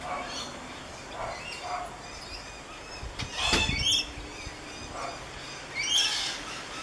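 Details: Rainbow lorikeet on the Gold Coast, recorded with a Canon SX50 camera; two harsh, broadband screeches stand out about two and a half seconds apart over fainter chatter and low rumbling background noise.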